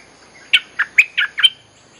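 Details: Olive-winged Bulbul song used as a lure for wild birds: five clear, liquid whistled notes given rapidly in a short rising-and-falling phrase, then quiet.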